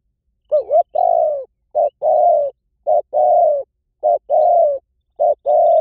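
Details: Spotted dove, played as a lure recording to draw in wild doves, giving low mellow coos in a steady pattern. A short note is followed by a longer drawn-out coo, and the pair repeats about every 1.2 seconds.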